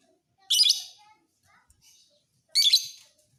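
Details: Fighter lovebird kept as a tutor bird for training other songbirds: two loud, shrill, rasping bursts about two seconds apart, each roughly half a second long, with near silence between.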